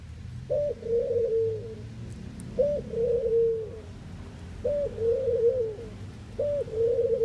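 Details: Ringneck (collared) dove from the Netherlands cooing in a steady series, each phrase a short higher note followed by a longer lower wavering coo, repeated about every two seconds over low background rumble.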